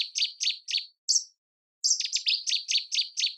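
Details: Common nightingale, perched among flowers, sings loud, high chirping notes repeated about three times a second, a short pause, then a quicker run of similar notes.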